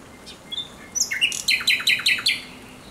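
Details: Thrush nightingale singing at night on 17 May 2023: a few thin whistles, then a fast series of repeated sharp, rattling double notes, about eight in quick succession.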